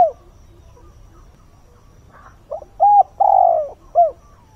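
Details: At dawn, a decoy spotted dove gives a full cooing phrase to attract wild birds. A clipped note and quiet pause come first, then a short pip, a flat hoot, a long throaty descending coo and an upturned last note.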